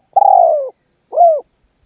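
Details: Close spotted dove 'manggung' cooing, said to get other birds calling along: one long, soft coo gliding gradually downward, a brief gap, then a short arched note closing the phrase.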